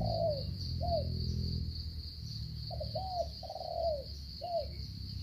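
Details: Spotted dove from Cà Mau, Vietnam, in the stuttering 'gù cà lăm' cooing style: short broken low coos, some falling, over heavy low rumbling noise and a steady high whine.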